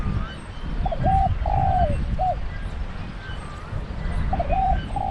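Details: Decoy spotted dove used for trapping at a pen trap, delivering a low cooing phrase of a short double note, a long falling coo and a clipped final note, starting another phrase at the end; constant low-pitched rumble behind.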